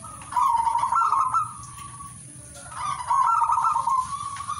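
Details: Zebra dove song in two long bubbling, trilled coos, each rolling on for over a second and fading out evenly, separated by a short pause; a constant thin high whine runs underneath.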